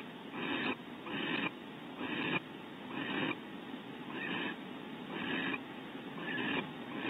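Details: Barn owl male bringing prey to the female during a bonding visit at Audubon Starr Ranch, California; seven evenly spaced, fairly soft hissing bursts of under a second each, with quiet pauses between.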